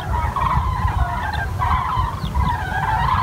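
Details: Common cranes near Wiesbaden-Auringen in a brief burst of crowded, rolling trumpet calls, several birds at once, over low droning background noise.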